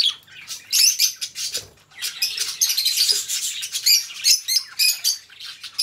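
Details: Continuous budgie warbling from a pair of pet budgerigars: dense, scratchy, high-pitched chatter with squeaky clicks and tweets running almost without pause.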